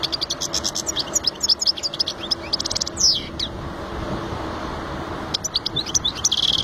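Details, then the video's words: European goldfinch song: rapid bright twittering and tinkling high notes in quick bursts, with a buzzy rising note near the middle and a dense jangling phrase at the end, over low steady background noise. "أجمل صوت #للطيور ممكن تسمعه .#الحسون Amazing sound of a bird"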